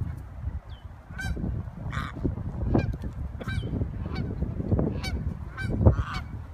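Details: A gaggle of geese living around the Civic Center Lagoon in Marin. Several loud nasal honks rise above a constant low rumble, scattered irregularly through the recording.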